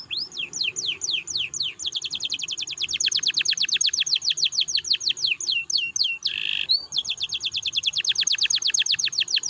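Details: A canary, in a recording used as a lure to stimulate other canaries to sing, sings a long, unbroken stream of high, sweeping whistled notes and rapid rolling trills, with one brief harsh buzz near the middle.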